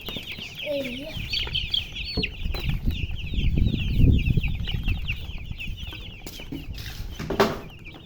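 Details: Baby chickens peeping in a steady stream of short, high, falling chirps, about two per second, over low rumbling background noise and occasional soft clucks.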